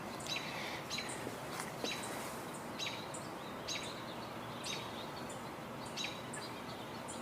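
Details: On 23 June 2021, an American robin vocalizing in a tree near a red-tailed hawk nest gives short, sharp, high chirps roughly once a second over a steady hiss of background noise.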